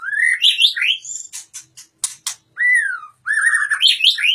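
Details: Caged Oriental magpie-robin from Indonesia giving loud melodious song: downslurred and upslurred clear whistles alternating with rasping clicks and buzzy broadband notes, then more fluty rising and falling phrases.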